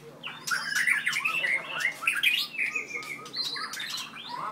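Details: Very aggressive four-year-old white-rumped shama from Merapoh, Pahang, with a 7.6-inch tail, kept indoors. Its dense, hurried song mixes harsh squawky notes, clicks and short whistled slurs in a continuous tangle.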